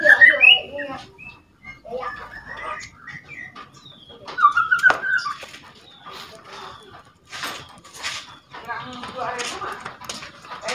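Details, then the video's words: Two-month-old juvenile white-rumped shama practising song with rattles and whistles meant to provoke other shamas. Opens with a sharp whistled phrase, then scratchy rattling clicks and brief squeaky whistles, uneven and fast-paced throughout. "MURAI BATU TROTOL BELAJAR BUNYI - Ketrekan dan siulan murai trotol pancing emosi"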